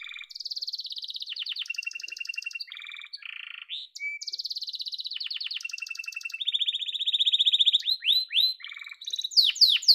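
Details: Yellow domestic canary delivering a loud continuous song of fast repeated trills, switching between high rattles and lower whistled rolls, closing with a series of sharp downslurred chip notes and quick upward sweeps.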